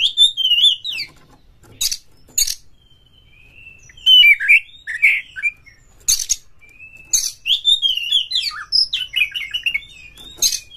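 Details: Oriental magpie-robin song used to stir rival magpie-robins to sing and fight: varied whistled phrases and harsh, buzzy notes in repeated bursts, broken by loud sharp clicks.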